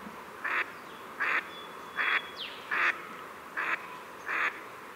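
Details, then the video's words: A Pacific Black Duck gives six loud, harsh quacks, about one every three-quarters of a second, with a faint thin whistle from another bird in between. "Pacific Black Duck Call Song Sound"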